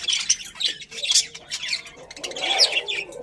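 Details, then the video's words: Budgerigars from a pet colony chatter in busy, buzzy warbles and squawky chirps. The overlapping calls rise and fall in loudness in irregular bursts. "Happy Budgies Chirping Sounds"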